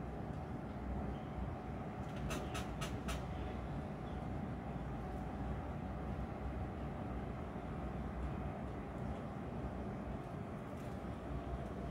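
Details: A steady low rumble of a passing train fills the clip, with a few sharp rail clacks early on and no animal voice.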